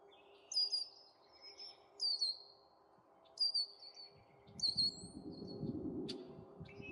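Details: Young Canada geese among their family group outside: a run of sharp, high downslurred whistled peeps repeated roughly every second or so, a brief click, then a broad low rustle of movement.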